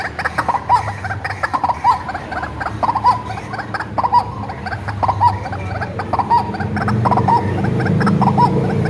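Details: Hand-reared white-breasted waterhen, raised from young and used as a lure call: harsh, nasal two-part notes repeated roughly once a second in a steady series, over a low rumbling hum that grows louder toward the end.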